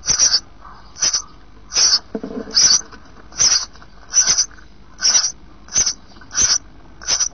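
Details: Nest of sparrows in 2012, eight days after hatching, with three of five chicks left and down appearing: a long run of sharp high hissing pulses about every 0.7 seconds, with a brief lower rustle midway.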